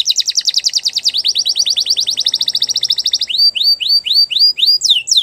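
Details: Belgian canary singing, meant for training canaries: rapid pulsed trills run for over three seconds, then shift to a string of upswept, rising whistled notes.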